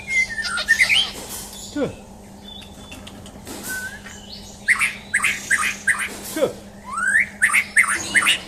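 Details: Champion white-rumped shama under a mental test, delivering varied song: a clear whistle, scratchy bursts, falling swoops, then a fast busy run of rasping and whistled notes, over a low steady hum.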